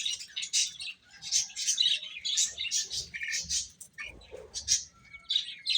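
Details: Chicks chirping as they eat: rapid, piercing peeps repeated in jittery clusters, several birds calling at once, with scratchy pecking noises and a brief lower rasp near the end.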